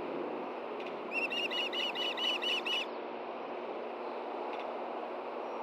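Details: Wild osprey at a nest in Hellgate Canyon, Montana, filmed by a nest camera at 9 AM on June 6, 2014, as a fish is brought from a nearby pole to its mate; a quick run of about nine shrill, whistled chirps over steady rushing background noise.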